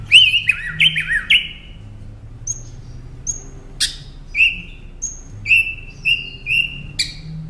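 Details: Song of a Northern mockingbird, played to train caged songbirds. Quick looping whistled notes open the clip, then a steady series of short sharp chips and clear upslurred whistles, spaced about half a second apart.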